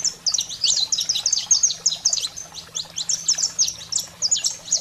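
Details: Saffron finch in 'fogo selvagem' style, meant to fire up pet canaries: continuous rapid strings of piercing high chips and quick downward slurs, several per second, with a soft background hum.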